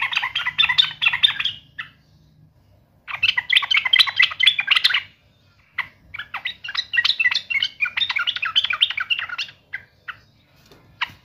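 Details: Yellow-vented bulbul singing in a fighting mood, taunting a rival: bursts of rapid, bubbly, chattering notes lasting about two seconds each, separated by short pauses, with a brief isolated note near the end.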